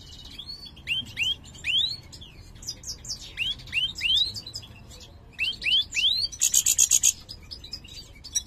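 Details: Mutated goldfinch of the major form singing poorly: groups of two or three upswept, whistled notes recur between chattering twitters, ending in a short, harsh, buzzy burst of very high repeated notes.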